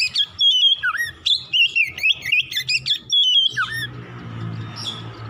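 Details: Kacer, the Oriental magpie-robin, singing in the morning as a singing lure: quick bursts of sharp whistled notes, wavering and swooping, with a falling slur, then the song stops and a noisy hum takes over.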